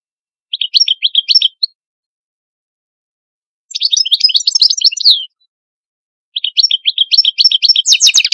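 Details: Algerian European goldfinch delivering its song in three separate bursts of rapid, tinkling twitters, each lasting one to one and a half seconds, with silent gaps between; the final phrase ends in a buzzy, rattling flourish.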